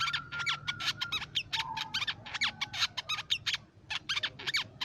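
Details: Crimson sunbird song used as a lure for songbirds: dense run of sharp high chips and short trills in quick bursts, with thin drawn-out whistles beneath, over faint low hum.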